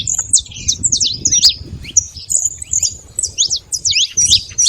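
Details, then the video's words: Wild saffron finch singing free in nature: a rapid string of sharp, high chips and short slurred notes, delivered in quick bursts with brief pauses, over faint low rumble. "canário da terra livre na natureza com belo canto"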